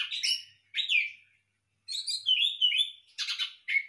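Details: Orange-headed thrush kept for captive breeding in a hanging cage, giving short slurred whistled phrases, with bright notes falling and rising, separated by a pause of about a second.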